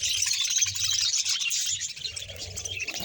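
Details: Budgerigars in a colony of roughly 100 pairs, Bahawalpur: a brief burst of overlapping high chirps and warbles from many birds, busy at first and then thinning slightly toward the end.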